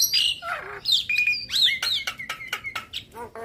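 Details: Varied Javan myna song used as a masteran for other mynas: loud slurred whistles, sharp clicks and a few descending notes mixed together at a quick pace.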